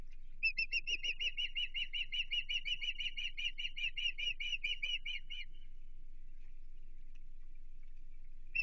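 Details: Osprey calling at its Chesapeake nest, 15 June 2023, as an intruder approaches: an unbroken string of quick, piercing whistled notes for about five seconds, then near silence with a low background hum.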